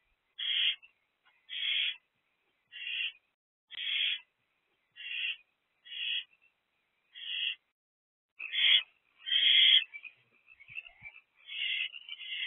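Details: Young owl in a nest box on the night of 1 April 2024, begging for its first food delivery: short, harsh hissing rasps repeated steadily about once a second, then louder, longer, more jumbled screeches.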